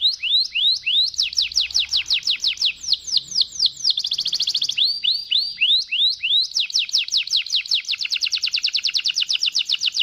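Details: Waterslager canary in full voice, singing a long rolling song: quick series of descending whistled sweeps, a brief buzzy churring passage midway, then a faster, tighter rattling roll to the end.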